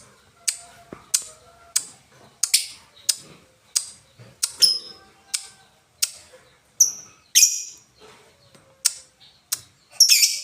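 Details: Lovebird in Indonesia doing the ngetik, ngoek and ngekek styles: a long series of sharp, dry, high ticks spaced roughly every half to three quarters of a second, some with short squeaky buzzes, in a quiet room.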